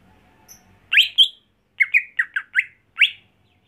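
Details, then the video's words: Home-reared greater green leafbird for contest use sings a short, broken phrase of loud, buzzy upswept chips in small clusters with brief gaps between them. "Membuat Cucak Hijau Mental Rumahan Jadi Garang Di Gantangan"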